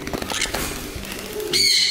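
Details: Young pineapple conure (Green-cheeked conure colour form), about four months old and not yet talking, in a bird shop gives one sharp, high, shrill note after handling rustle and soft voices; it seemed startled and fearful.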